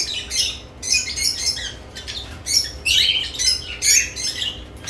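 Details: Nest box activity among lovebirds: sharp, high chirps and short squawks given in uneven bursts about twice a second, with brief silences between.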